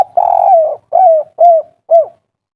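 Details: Spotted dove in agitated kuk 3 style, used as a lure for other doves: one long quavering coo followed by three shorter arched coos spaced about half a second apart.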